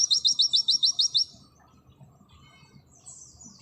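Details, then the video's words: Oriental white-eye, 'pleci auri', singing 'nembak': a clean burst of about nine rapid, bright, evenly spaced high notes lasting just over a second, followed by near silence and a faint thin chirp. "Masteran full materi burung pleci nembak sejalur Pleci auri"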